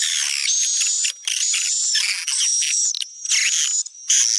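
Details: Swiftlet attraction call popular in Sumatra, with a long high thin whistle over crowded chirps and buzzy twitter bursts, interrupted by short silences.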